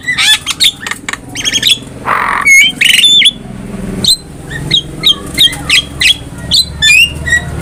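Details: Black-winged myna master song for training cage birds: a quick series of harsh chattering notes and a raspy squawk, followed by short whistled notes repeated about every half second, over low rumbling background noise.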